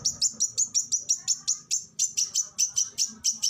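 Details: Kacer (Oriental magpie-robin) giving 'tembakan' shots for bird training: sharp, high, clipped notes repeated steadily about five times a second, each a bright downward flick, over a faint low rumble.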